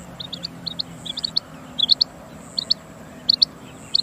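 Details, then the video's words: Female quail giving quick high double and triple chip notes, clustered at first, then spaced about every second, against low background hum and a faint constant high-pitched whine. "مادہ بٹیر کی آواز //بٹیر کی آواز / female quail song"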